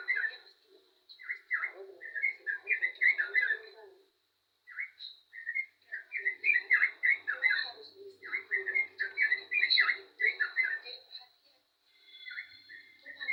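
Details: Yellow-vented bulbul singing actively: bursts of bubbly, liquid chattering notes in quick runs, broken by short pauses, over a steady thin high-pitched whine in the background.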